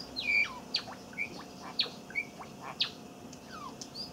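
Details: Young caged Java sparrow practising a song learned from an older Java sparrow, recorded 7 May 2017: clear high whistled notes and sharp chips in a loose series, several bright tones near the start, faint room hum beneath.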